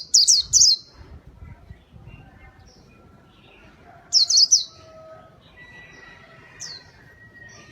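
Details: White-eye in vigorous song, played to lure birds: two short bursts of rapid, very high chirping trills, one at the start and another about four seconds later, separated by a quiet stretch with only faint background twitters.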